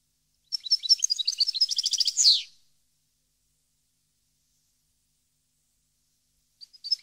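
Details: European goldfinch singing in Parva in 2015, a fast run of tinkling notes ending in a buzzy falling slur, then long silence with faint chips at the end.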